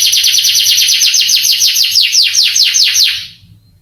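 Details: Canary training song, played to excite young canaries so they answer and sing: a fast run of short descending chirps, about two per second quickening to three, bright and high, ending abruptly into near silence.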